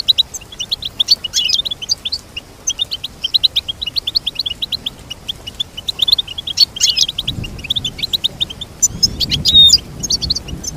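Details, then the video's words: Goldfinch song with long sequences of fast, rhythmic high twittering, then a dense burst of jumbled notes near the end, over faint low rumbling. "Teach your goldfinch to sing beautiful motivational songs"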